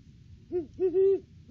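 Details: Great horned owl pair duetting at their nest tree in the off-season, early December, on a live nest cam: three deep, even hoots, a short one then two longer, joined ones, with quiet low background rumble.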